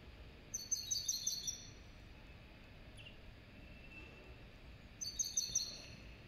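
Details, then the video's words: Two fast, high twittering phrases from a serin and goldfinch cross, each lasting around a second, separated by several seconds of quiet hiss. "تغريد هجين السمريس كهجين الحسون"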